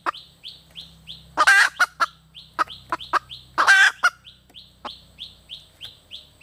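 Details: Hen red junglefowl calling: sharp clucks and two drawn-out raspy squawks, mixed with a running series of high, falling chirps, over a faint low hum.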